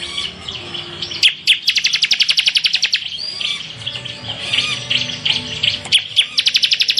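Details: Bar-winged prinia singing bursts of rapid, evenly spaced high trilled notes, separated by softer scratchy chatter, over a steady low background hum.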